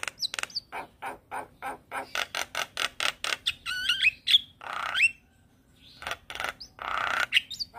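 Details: Energetic Black-winged starling song from a caged bird: a fast run of dry repeated clicks and chatter, then rising whistled slurs and rasping squawks, loud and continuous.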